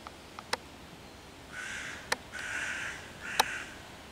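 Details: Hooded crow cawing loudly at five young raccoons in a tree, 11 June 2023, harassing them to drive the predators off; three hoarse, drawn-out caws with a few sharp clicks between them.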